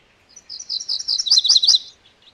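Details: MacGillivray's warbler song: a steady run of quick, high chipping notes building into three or four louder, emphatic slurred notes near the end, the whole phrase about one and a half seconds long.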